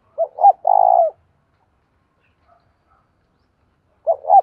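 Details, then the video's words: Decoy spotted dove giving its urging coo to lure and provoke wild doves: two short rising notes and a long, low, vibrating coo, with the phrase starting again about four seconds later. The background is silent. "cu gáy mồi thúc và gáy gọi dùng kích bổi hay và nhanh gáy"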